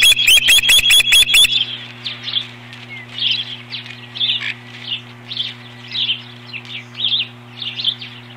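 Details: Ospreys defending the nest from an intruder on 21 April 2015: an intense burst of six or seven piercing whistled notes, then softer chirps repeated roughly every half second over a low steady hum.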